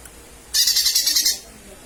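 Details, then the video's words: Lesser green leafbird calling, played as a lure: a short, harsh, pulsing buzzy rasp of under a second, high and scratchy. "Pancingan suara cucak ijo mini/ijo mini memanggil"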